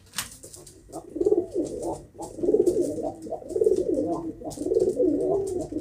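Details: Pigeon giving a run of deep, bubbling coos, repeated roughly every second in a steady throaty rhythm, with light tapping and rustling noises in the background.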